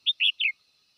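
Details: Red-whiskered bulbul calling the flock: three quick slurred whistled notes, the last falling in pitch.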